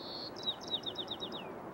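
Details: White-crowned Sparrow singing the local dialect on a crisp morning in Golden Gate Park, San Francisco: a clear high whistle, then a quick run of bright chips and paired trilled notes ending in a short falling buzz.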